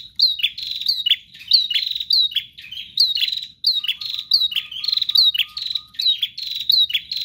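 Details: Prinia singing steadily with no rest: rhythmic, sharp high chirps repeated in dense phrases roughly every half second, plus a thin series of short lower notes midway.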